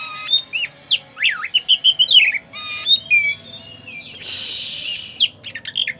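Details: Oriental magpie-robin, a black-and-white bird singing vigorously: rapid varied whistled phrases with sharp upward and downward sweeps, a few steady tones, then a harsh buzzy burst partway through, followed by more short whistles.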